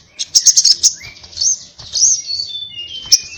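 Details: Crimson sunbird singing actively in combative 'tarung ngalas' style: sharp high ticking notes, then thin drawn-out whistles and slurred high squeaks.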